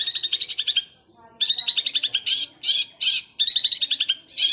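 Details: Rapid sewing-machine-like roll from a long-tailed shrike: a long stuttering run of fast notes, a brief pause with softer descending notes, then loud harsh bursts and more rattling runs.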